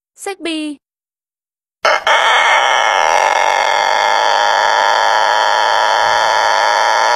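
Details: Rooster crow from a compilation of cock crows from around the world: a short spoken word, a pause, then a sustained, flat, strongly harmonic crow lasting about five seconds.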